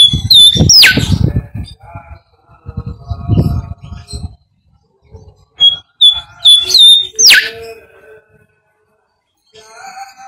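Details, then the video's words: Bimoli whistling, used as a lure to draw out other birds' song: short level whistled notes, then a sharp downward-sweeping whistle, with low voice-like sounds early on and pauses between phrases. "SIULAN BIMOLI UNTUK PANCINGAN BURUNG"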